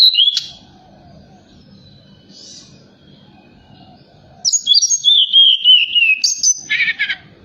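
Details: Forktail singing at night, a lure call to rouse other birds: a brief opening chirp, a long quiet stretch with low hum, then a loud descending whistled phrase ending in a harsh rasp.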